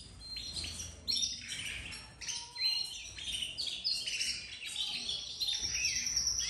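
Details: Young domestic canaries from a home breeding, many opening their song: varied high chirps, quick falling and rising whistles and short trills in loose overlapping bursts, a few louder notes standing out.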